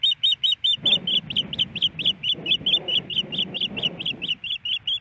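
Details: Female osprey in Hellgate Canyon, Missoula, Montana, on a snowy April 28, 2019, calling for food from her mate: persistent high, sharp whistles repeated about twice a second, partly over broad low rushing noise.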